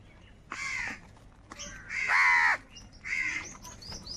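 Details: Crows fighting for food and cawing in anger: three harsh, loud caws, each about half a second long and roughly a second apart, over a faint background hiss.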